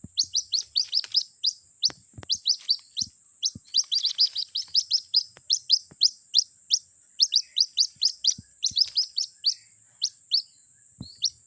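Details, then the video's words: Lure recording of a White-breasted Waterhen chick calling for its mother: dense streams of sharp, rising high-pitched peeps, nearly continuous, with occasional dull thuds and a constant thin electronic whine. "suara pikat anak ruak ruak memanggil induknya"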